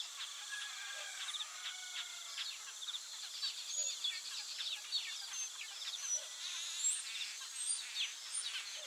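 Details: Taveta golden weaver flock giving continuous harsh chattering: stacked buzzy notes, rattles and quick downslurred chips overlapping without pause. A steady insect drone fills the background.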